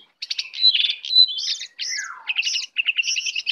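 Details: A wild lesser shortwing, come to attack, sings a fast, high, jumbled warble of sweet notes, buzzy trills and a descending slur, in short bursts with brief pauses.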